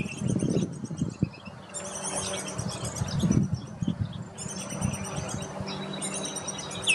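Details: Baltimore oriole chicks leaving the nest give thin, high chattering chirps in quick runs, half buried under a steady low rumble of wind or traffic.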